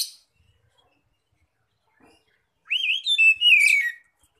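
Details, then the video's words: Oriental magpie-robin singing loudly in the open 'ngeplong' style, meant to draw in other magpie-robins: after a near-silent stretch, a rich warbled phrase of rising and falling whistles lasting just over a second. "pancingan Kacer bikin gacor"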